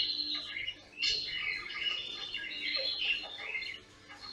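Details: Pet caique at home: a short stretch of continuous squeaky, trilling chatter at high pitch, with a brief dip in loudness at the start and end.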